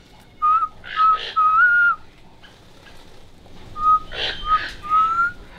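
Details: A captive Undulated tinamou at a breeding facility in Itatiba, São Paulo, gives pure, hollow whistled notes in two short series. The last note is longer and slightly rising, and breathy human voice sounds come in between.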